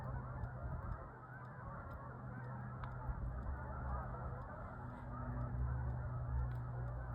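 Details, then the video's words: Large flocks of Canada geese calling high overhead on 1/4/26: a faint, continuous mass of overlapping honks beneath a strong low hum, with occasional soft clicks. "Large Groups Of Canadian Geese Flying High Up In The Sky And Making Noises"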